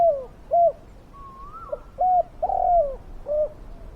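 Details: Spotted dove serving as a lure for wild doves, voice big and fierce: a few soft coos and one long, sliding croon, a thin rising whistle from another bird in the background.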